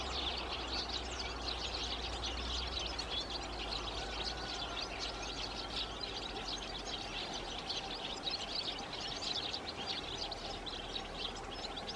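European goldfinch song: a dense, continuous stream of tinkling, twittering chirps, high and rapid, with a low steady hum underneath.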